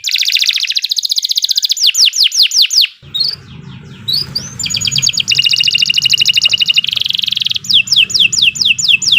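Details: Canary master song for training birds, delivered nonstop: fast rattling trills alternate with series of sharp descending whistles, a brief break in the middle filled by low rumbling background noise.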